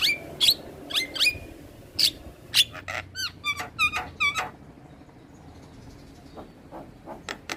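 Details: Energetic song of a black-winged starling, head-bobbing as it sings: loud whistled notes and curling, rising-falling phrases repeated in quick succession, then softer scattered clicks.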